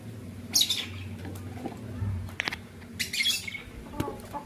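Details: Green violin lovebird couple, kept as pets, in the morning: harsh, buzzy high squawks in two bursts, a short one then a longer rasping run, with scattered clicks and a low background hum.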